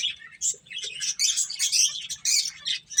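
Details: Several finches at play give a dense run of high, squeaky chirps and twittering notes, nearly continuous, over a soft low hum.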